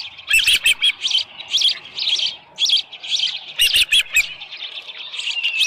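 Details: Osprey at its nest at Dunrovin Ranch, 24 July 2018 around 6:52 AM, with a headless fish. Series of high, piercing chirps, often doubled or in short bursts, with brief pauses between runs.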